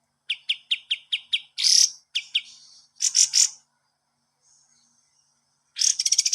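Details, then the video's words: Master song of the kapas tembak cage bird, used to train other cage birds: a row of evenly spaced sharp chips, then harsh rasping bursts and scratchy notes separated by short silences. "masteran burung kapas tembak"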